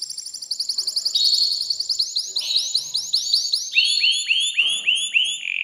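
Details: Caged male canary's mating song aimed at a female: rapid rolling series of short upward-sweeping chirps, several per second, stepping lower in pitch as the phrase continues.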